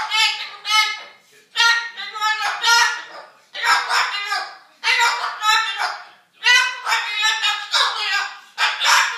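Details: Mimicry of a couple's argument by a pet cockatoo. A long run of agitated, word-like phrases in several bursts sounds like heated back-and-forth talk, with short gaps between outbursts.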